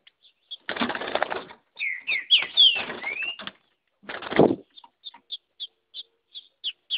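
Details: A female Green-winged saltator in the bush, singing like a male and fighting, gives a few rich, slurred whistles, rising and falling, then a string of short high chips; bursts of wing flapping and rustling break in twice.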